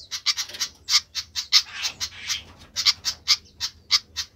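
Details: Flycatcher making a racket: short raspy chips in irregular bursts, some doubled, with a brief hissy smear in the middle and otherwise quiet surroundings.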